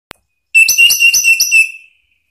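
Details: Orange-headed thrush (Anis Merah) song used as a lure to make other orange-headed thrushes answer, and as therapy for birds that stop singing: one clear, loud whistled phrase of about five quick, warbled notes at a high, steady pitch.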